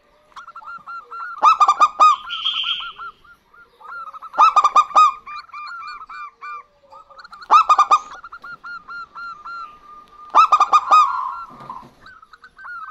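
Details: Local zebra doves, male and female, trading songs: four loud clusters of ringing coo notes about three seconds apart, with steady, softer cooing strings in between.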